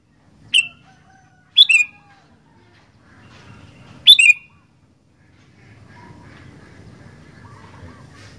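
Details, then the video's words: Sooty-headed bulbul giving a brief whistle, then two fuller descending double whistles, followed by a stretch of faint background chatter and hum. "Burung Kutilang Gacor Doooor"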